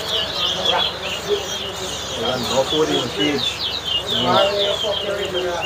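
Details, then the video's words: Towa towa seed finch singing in a whistling competition in Guyana: rapid, sharp chirps and twittered phrases repeat throughout, with men talking and music in the background. "TOWA TOWA BIRD WHISTLING COMPETITION"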